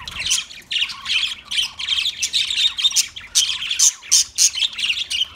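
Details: Australian parrot chatter: rapid, rasping budgie squawks and chirps in short pulses, roughly one burst a second, with sharper squeaks toward the end.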